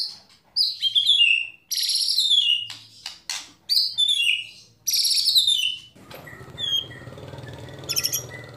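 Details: White-rumped shama singing competition-style phrases with fill-ins: rich cascading whistles sliding downward in quick bursts; after a few seconds a noisy background rises beneath softer, scattered high notes.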